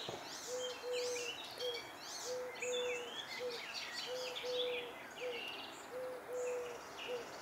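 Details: Icterine warbler singing in June 2021: a fast, varied outpouring of squeaky, chattering and harsh high phrases, some sliding and rising, with a low steady hooting tone repeated in short dashes underneath throughout.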